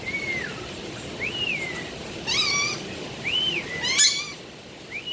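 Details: Budgerigar song with talking: a run of clear arched whistles, each rising then falling, broken by a rich harmonic chattering phrase and a sharp click-like burst, over faint hiss.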